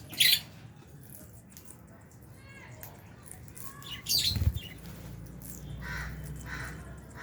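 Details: Albino and Fisher's lovebirds feeding give two sharp, shrill squawking chirps about four seconds apart, with faint whistled notes between and a dull knock near the second.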